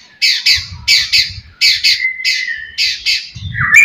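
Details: Murai batu (white-rumped shama) singing aggressively to provoke rivals: repeated harsh chattering bursts in pairs, linked by a long flat whistle, ending in a rising squeaky note.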